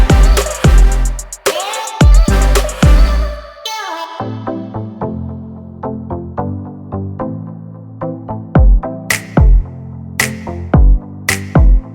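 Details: Heavy electronic music with deep bass and drum-machine beats; no animal voice can be picked out.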